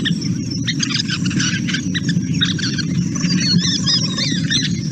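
Scissor-tailed Flycatchers trade a jumbled, rapid mix of high squeaks, chatters and purring notes, several birds at once, over a steady low rumble of wind.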